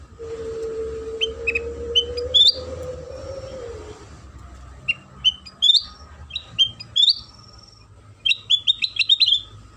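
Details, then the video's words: Sooty-headed bulbul song used as a lure for other bulbuls: scattered quick chirps and upward-flicking notes, growing busier toward the end, over a low steady drone and a faint hum. "Suara Pancingan Kutilang Sutra"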